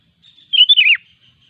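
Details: Sooty-headed bulbul in the wild gives one short song phrase of three or four slurred notes, the last sliding downward, against a clean quiet background.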